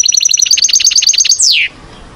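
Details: Goldfinch in active song: a quick series of bright, high, pulsing notes at a steady pitch, closing with a swift falling slur, then quiet.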